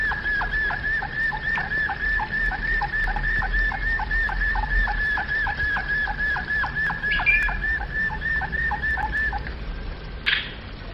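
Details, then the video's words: Domestic canary, flute-style (flawta) song: one long, steady whistled tone sustained for about nine seconds, with rapid short notes dropping beneath it in a regular beat, ending with a brief sharp noise. "Chant Canari Flawta - Canário do Reino Canto Flauta"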